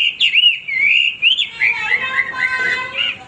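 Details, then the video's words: Brief Hwamei song passage of fluid whistled phrases that swoop up and down, smooth and melodious with slight warbling. "wambi gacor berkicau tanpa henti"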